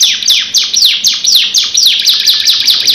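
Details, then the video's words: Canary in full song, a long rolling performance: rapid descending whistled sweeps repeated about twice a second, bright and high, loud and continuous throughout. "KENARI GACOR NGEROL NEMBAK DURASI PANJANG | CANARY SINGING"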